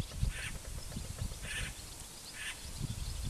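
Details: Great spotted cuckoo giving harsh, raspy calls, three short grating bursts about a second apart over steady low rumble and noise.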